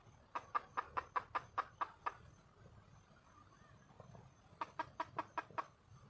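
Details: Wild red junglefowl hen calling to find a male: a run of eight sharp clucks, a quieter gap with faint soft notes, then a second run of six clucks.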